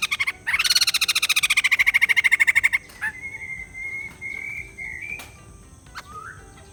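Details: A white-crested laughingthrush gives a fast harsh rattle that fades into a drawn-out, wavering whistled note, followed by a short, soft slurred note.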